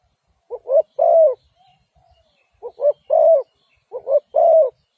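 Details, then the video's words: Spotted dove giving three clear phrases, each two short soft coos leading into a longer, rounded coo, spaced roughly every one and a half seconds against near silence. "Sound Of Spotted Dove"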